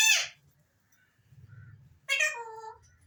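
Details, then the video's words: Alexandrine parakeet: a loud harsh screech at the start, then after a quiet pause a drawn-out, wavering nasal call that slides downward, with faint low background rumble. "Alexander Raw Parrots Talking and different Whistles"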